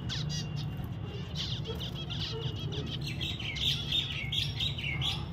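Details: Pet zebra finches chattering with rapid, irregular nasal chirps and short buzzy notes, roughly one or two per second, with a steady low hum beneath.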